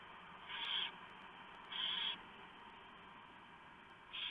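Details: Night feeding at a barn owl nest on 3 November 2015: the female shreds a huge mouse from the male for the owlets. Three drawn-out, raspy hisses are heard over a steady background murmur.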